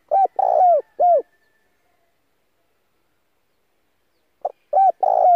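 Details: Spotted dove used as a lure for other doves. The end of one mellow cooing phrase with a long rolling middle coo is followed by about three seconds of silence, then the start of another phrase.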